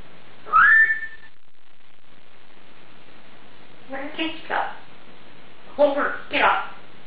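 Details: Female Congo African grey parrot, a 2011 winner of a best talking parrot competition, showing off her vocabulary: a sharp rising whistle, a pause, then two short bursts of mimicked speech, indoors.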